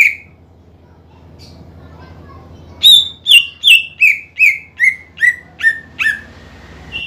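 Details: Greater green leafbird singing as a lure to make rival birds sing: a single whistle, a quiet gap, then about ten bright whistled notes falling steadily in pitch, ending on a higher short note.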